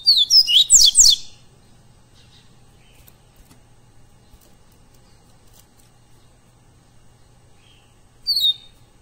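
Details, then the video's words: Live tutoring recording of a double-collared seedeater (coleiro pardo) song: a rapid one-second burst of high, sweeping twittered notes, then a short phrase returns after a long quiet pause. "ENCARTE PARA COLEIRO PARDO gravação ao vivo"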